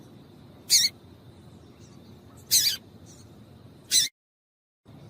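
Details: Yellow-bellied seedeater female piping to stir up males for song contests. Three brief, bright, high-pitched chips come roughly every one and a half seconds against faint background hiss, then a short silence.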